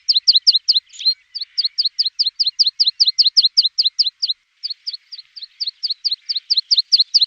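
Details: Javan bush lark song used as a tutor recording for training other birds: a fast series of sharp, paired, high down-slurred chirps, about two and a half per second, with a brief pause midway and another near the end.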